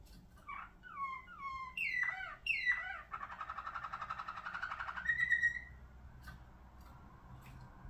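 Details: Malinois Waterslager singing canary with a ring: falling whistled slurs, then a buzzy rolling trill lasting about two seconds, ending in a rising clear whistle over low room hum.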